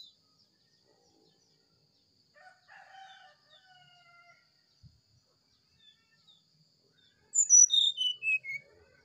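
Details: Morning sulingan-style song of an oriental magpie-robin: faint, soft lower warbling early on, then a loud burst of high whistled notes near the end that slide downward in a quick descending run.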